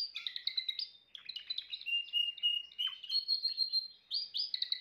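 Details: A Timbrado canary sings varied song: quick trills, then a long level whistled note, a drop, and a renewed run of sharp high chirps.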